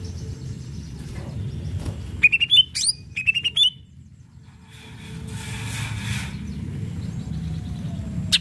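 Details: Greater green leafbird, cucak ijo, singing in a lively gacor style meant to provoke rivals: a short burst of bright rising whistled notes near the middle, with low background rumble and a brief rushing noise afterward.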